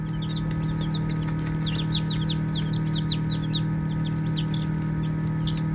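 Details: A group of baby chicks chirping and playing: rapid, high, downward-slurred peeps, roughly three or four each second, in uneven runs over a steady low hum.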